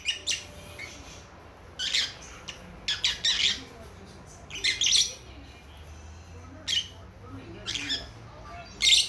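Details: Lovebird chicks only a few months old in conversation: sharp, high squawking chirps come in clusters every second or so, separated by brief pauses, in a quiet room.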